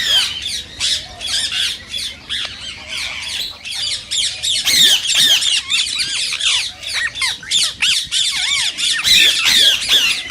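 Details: Indian rose-ringed parakeets calling to prompt other parakeets to sing and mate: rapid, shrill squawks and arched whistled notes repeated about three times a second, several birds chattering together without pause.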